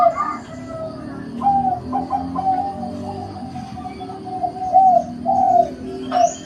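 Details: Zebra dove cooing: a series of soft, mellow, level coo notes, some short and some drawn out, strung together over a steady low hum.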